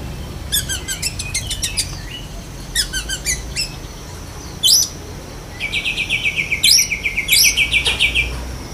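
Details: Oriental magpie-robin of the black-breasted form, kacer dahit, giving besetan kapas with lovebird mimicry: short bursts of rapid, high ticking trills separated by brief pauses, then a longer chattering run of sharp repeated chirps.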